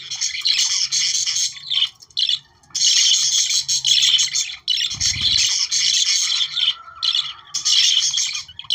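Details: Several budgerigars chattering, played to stimulate breeding: dense, scratchy warbling with buzzy squeaks, nearly unbroken, with short pauses near two and seven seconds and a low thump around five seconds.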